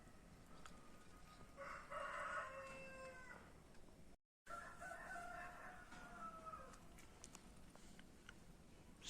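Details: Rooster crowing like an alarm: two long harmonic cock-a-doodle-doo crows, the second drawn out and sliding down, over a steady background hiss with a short dropout between them.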